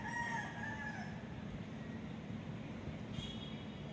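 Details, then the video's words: Rooster crowing, recorded on an ASUS Zenfone 2 Laser phone: the harmonic tail of one crow fades out within the first second, followed by steady low rumbling background noise and a brief high tonal sound near the end. "The sound of Cock-a-doodle-doo - เสียงไก่ขัน"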